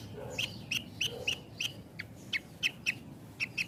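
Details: Song of a Javan bush lark, close-paused style meant for training raw and half-trained birds. Bright chirps repeat every third of a second, some doubled, over a steady low hum with a soft, lower murmur at times.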